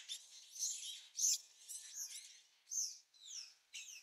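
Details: Young brown-eared bulbuls being fed by a parent in their nest, recorded at close range: separate bursts of thin, high chirps and squeaky notes, some sliding downward, coming about once per second with short gaps between them.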